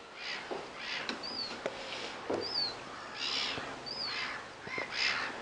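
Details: Little ringed plover calling: short, clear whistles sliding downward, given about every one to one and a half seconds, amid harsher, broad squawking calls from other birds.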